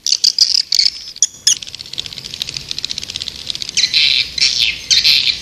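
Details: Swiftlet lure call for attracting birds: rapid high twittering bursts at first, then a steady buzzy high chatter, ending with loud clustered shrill chirps.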